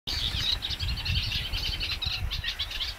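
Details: Eurasian Reed Warbler singing among the reeds at a lagoon: a steady, chattering stream of short, scratchy, repeated notes with little pause, over a low rumble of wind.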